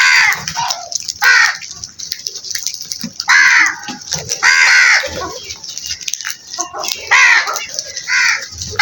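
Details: Many crows in a flock giving loud, rasping caws, often in doubled or tripled bursts that overlap one another, separated by brief lulls filled with softer calls and a steady background hiss.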